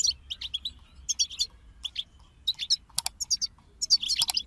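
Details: European goldfinch group song made of clipped, bright twitters and chirps in short clusters with gaps, plus a sharp click near the middle and a denser burst of trills at the end.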